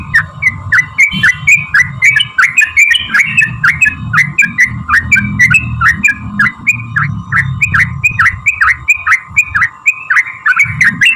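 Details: Sooty-headed bulbul 'ropel' song used to provoke bulbuls into singing: a long, dense stream of bubbly, dipping notes at a fast, steady pace, with a loud low rumble and constant hum behind.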